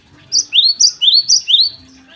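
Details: Java sparrow in morning song: six clear, rising, slurred whistled notes in quick succession, each sweeping upward, delivered in a steady bubbling run over about one and a half seconds.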